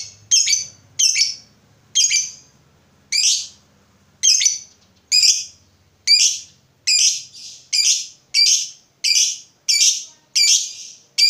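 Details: Rapid series of loud, harsh, high chirps from a lovebird, a recording meant to spur silent lovebirds into song, repeated about every three quarters of a second with a few doubled notes.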